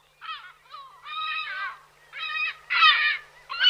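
Lesser Black-backed Gull giving a series of harsh, nasal squawks, each short and strained, repeated irregularly about once a second.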